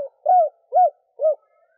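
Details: Three soft, rounded, mid-pitched coos spaced about half a second apart from a female spotted dove calling to stimulate males; quiet background.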